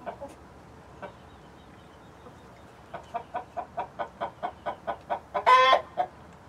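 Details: Domestic hens of several breeds with a Rhode Island Red rooster: a few isolated clucks, then an evenly spaced, steadily louder series of clucks ending in a long, loud squawk and one final cluck.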